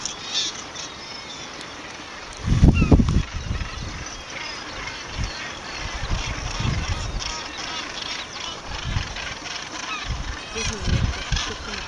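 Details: Seabirds at a nesting colony at Bempton, 4 June 2009, give harsh, low, honking croaks in irregular bursts, loudest near three seconds, over a steady background murmur of the colony.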